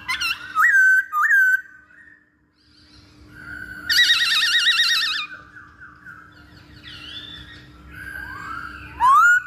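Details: Training lure of masked laughingthrush: short whistled notes, a long trilling warbled phrase, softer mixed whistles and a final rising whistle, with a constant low hum underneath.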